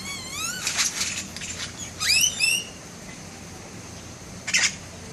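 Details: Bird of paradise imitating camera sounds: a series of rising whistled sweeps with dry clicking bursts, a loud cluster of upward-slurred notes, a quiet stretch, then a short sharp clicking burst; faint low hum throughout.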